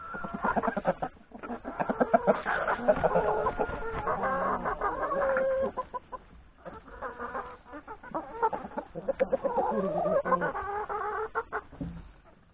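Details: Hens and three roosters at breakfast in a yard before heading into the forest to graze; a flock's dense, overlapping clucks and cackles run almost continuously, with a short lull around six seconds.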